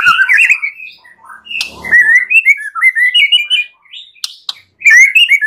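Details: White-rumped shama song from a master recording used to train other birds, full of varied phrases and clear voice: rich whistled phrases sliding and warbling, mixed with a harsh rasping burst and sharp clicks.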